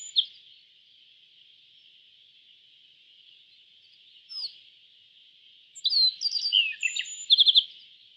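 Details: Mostly a steady high hiss, with a faint chirp midway. Near the end a yellow bunting sings a quick phrase of sharp high slurred notes that closes in a rapid trill.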